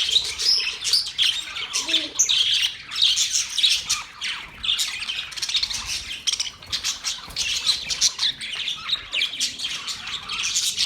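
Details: Budgerigars squawking and chirping in a crowded chorus, harsh rasping notes mixed with fast twittering, a few brief lower warbled notes near the start.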